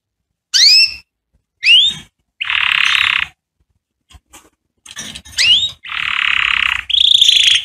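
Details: Canary song played to teach young canaries to sing: sharp rising whistled sweeps, then dense buzzy trills with silent gaps between phrases, ending in a high sustained rattle.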